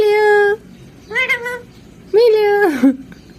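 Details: Pet parrot indoors imitating human speech: three clear, tonal, voice-like phrases, the last sliding down in pitch, with short silences between.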